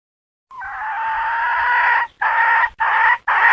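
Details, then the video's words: Domestic hen calling: one long, drawn-out harsh note held for about a second and a half, followed by three shorter, clipped squawks in quick succession. No other clear sounds. "Suab poj qaib seev dib tuaj zoo heev"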